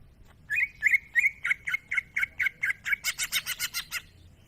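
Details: Cucak ijo, the greater green leafbird, singing gacor masteran: a steady repeated series of about eighteen clipped chirps, growing harsher and higher toward the end, with constant low background noise.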